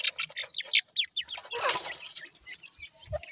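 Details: Grey francolin chicks while feeding give a quick series of clear, high downward-sweeping peeps, about one a second, then a burst of rustling noise.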